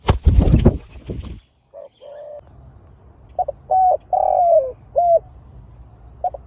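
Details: Spotted dove in a Thai dove-contest session, two fierce birds paired off, giving a series of short hollow coos with one longer drawn-out falling note, after loud knocking handling sounds at the start.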